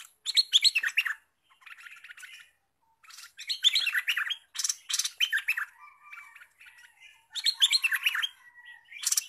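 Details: Newly trapped olive-winged bulbul singing actively, ready to serve as a lure bird for trapping others: bursts of bubbly, chattering notes with sharp clicks, mostly high-pitched, repeated in phrases every second or two with short pauses between.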